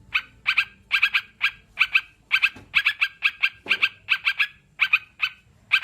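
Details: Sooty-headed bulbul song in a recording for birds that do not yet sing: crisp, ringing notes in pairs and triplets, regularly spaced, with a couple of soft low thumps.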